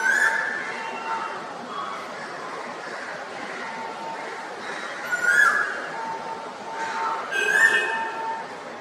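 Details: A male Asian koel in spring gives its "Koo-ooo" song: a few short, rising whistled notes spaced several seconds apart, over a steady broad rush of background noise.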